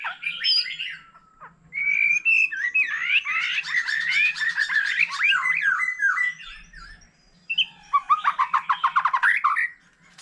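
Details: A varied song from a mature forest-caught white-rumped shama, heard with a laughingthrush: a long flowing stream of warbled, wavering whistles, then a brief pause and a fast burst of sharp repeated chips.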